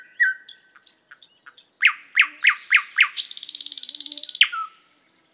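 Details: Thrush nightingale singing: a thin sustained whistle and soft ticking notes, then a run of loud falling whistles leading into a harsh, rapid rattling trill and a final slurred whistle.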